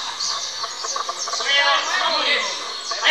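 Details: Canario criollo, the saffron finch, competing in a 2024 song contest in Valledupar, Colombia: rapid high twittering runs building into a fast buzzy trill after the first second, with other birds and human voices in the background.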